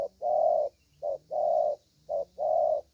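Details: Young spotted dove with a good voice, singing in the 'thổ' cooing style: three pairs, each a short low note followed by a longer, steady mid-pitched coo, about one pair per second, with a faint high hiss behind.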